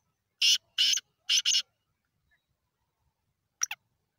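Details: Black francolin calling: a harsh, grating phrase of four loud rasping notes, two spaced then two close together, followed after a pause by a short fainter double note; quiet background otherwise.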